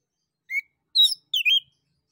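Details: Lively male orange-headed thrush, song used to lure other birds into answering: three separate short elements, a pure whistle, then two busier, slightly buzzy warbled notes, in quiet surroundings.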